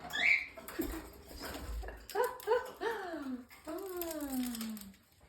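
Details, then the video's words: A pet rose-ringed (Indian ringneck) parakeet, indoors, trying to sing along with its owner, gives a sharp high chirp, then a run of voice-like warbling syllables ending in a long, slowly falling tone. "was trying to sing with me."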